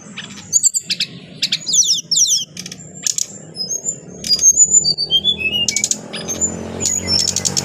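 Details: Adult brown-chested jungle flycatcher, a kept bird, singing clearly: rapid bursts of high chirps and trills interspersed with short whistled slurred notes, dense and varied, over a faint low hum.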